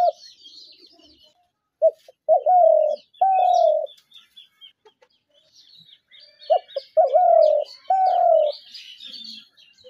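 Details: Spotted dove trap-lure call: two phrases, each of brief lead-in notes and two long, slightly falling coos, separated by a pause, with scattered chirps of other birds.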